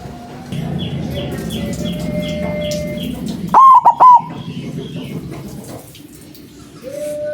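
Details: White zebra dove (perkutut putih) with a strong voice, used as a lure for dove trapping: one loud three-note cooing phrase midway, surrounded by steady background hiss and faint chirping.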